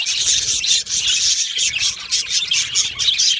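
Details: Chattering of yellow male budgies kept in an aviary colony, a continuous high-pitched warble of rapid chirps and squeaky notes from several birds, pulsing in loudness.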